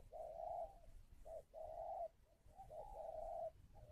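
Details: Spotted dove at a bird farm near Ba Vì, Hanoi, Vietnam, cooing to call: three groups of a quick short note followed by a drawn-out even hoot, clear over faint low hum.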